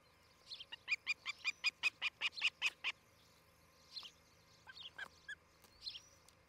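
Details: Nest-camera recording of an osprey pair in Charlo, Montana, on a July 2018 morning: a quick burst of about eleven piercing whistled chirps, followed by a few softer, scattered calls.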